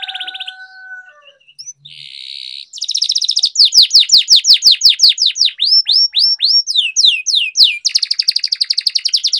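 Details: Loud canary song for training young canaries, with long rolls: soft whistles and a buzz lead into a long, very rapid series of sweeping chirps and rolled trills that grows faster toward the end.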